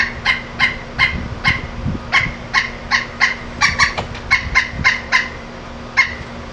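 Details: Pileated woodpecker calling: a loud series of about fifteen evenly pitched, ringing 'kuk' notes, spaced roughly every half second, with a low steady hum in the background.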